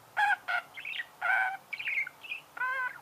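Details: Budgerigar chirps: nasal, squawky notes with rich overtones alternating with thinner high twittering bits, about seven separate bursts in quick succession.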